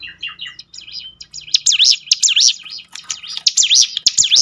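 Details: Song of a prinia meant to prompt birds to sing more readily: a few soft lower chirps, then a loud run of high whistled notes rising and falling in quick succession, with scattered clicks.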